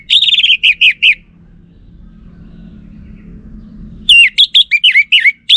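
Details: Orange-headed thrush lure song used on caged birds in Singaraja, North Bali, to make males answer: a burst of six rapid, repeated high whistled notes, a pause, then a faster run of varied sharp, sliding whistles.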